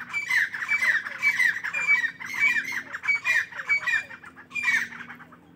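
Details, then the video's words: Morning calling of partridges, a steady stream of harsh, rasping squawks repeated roughly twice a second without a break, some notes with a ringing upslurred edge. "تیتروں کی صبح کی خوبصورت بولیاں"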